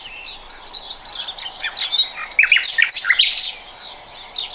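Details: Common nightingale in song, 2020: soft whistled notes rising into a loud, dense cluster of sharp chirps and trills mid-phrase, then quieter again.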